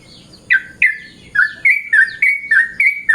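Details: Yellow-vented bulbul calling in the morning: a string of short, loud notes, each sliding down from a high start, repeated about every quarter second after a quiet opening, over a faint low background hum.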